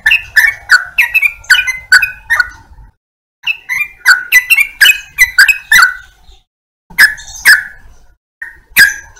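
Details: Chattering, slightly downslurred chirps from a yellow-vented bulbul, delivered in clusters of rapid notes with gaps of silence between the phrases.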